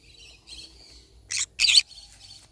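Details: Soft twittering chatter from a yellow-sided conure parrot breaks into two loud, grating screeches in quick succession, then the quiet chatter resumes.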